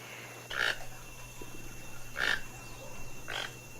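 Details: Toucan giving short, hoarse, croaking notes, three in a few seconds at uneven spacing, against a soft background hiss.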